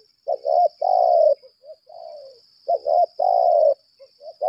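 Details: Spotted dove kept as a decoy bird, of the 'lambung kuk' type, calling in 'laga' contest style: two bursts of low, throaty coo phrases, each a short stutter and then a long rolling coo. A steady high whine runs throughout.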